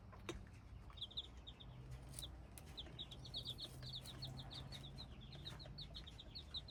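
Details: Hybrid chicken chicks peeping: a busy stream of short, high, downward-slurred cheeps, several per second from multiple chicks, with a soft low hum and occasional thumps underneath.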